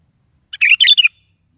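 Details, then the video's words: Sooty-headed bulbul (kutilang) singing in the morning, used to prompt a pet bulbul to answer: a short burst of rich, bubbly, warbled notes lasting about half a second, with no other sounds. "SUARA BURUNG KUTILANG GACOR DI PAGI HARI"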